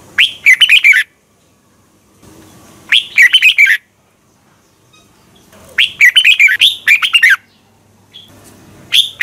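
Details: Red-whiskered bulbul singing in duel style, meant for training bulbuls to sing. Dense bursts of sweet, slurred and clipped notes come in four phrases about three seconds apart. Soft background rustle sounds between them.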